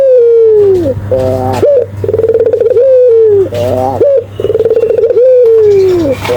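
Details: Barbary dove cooing energetically for use in training and luring birds: a long sinking coo, then two phrases of stacked rising notes, a fast pulsing roll and a gliding downward coo, against a low droning hum.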